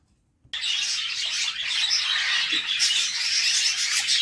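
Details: Budgerigar chicks in a nest box being fed by their mother; dense, continuous high-pitched raspy chattering and squeaking that starts abruptly and keeps on without pause.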